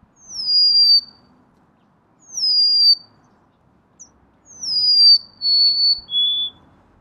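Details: Golden-crowned sparrow repeating a downslurred whistle about every two seconds. The last phrase stretches into three descending notes, each lower than the one before.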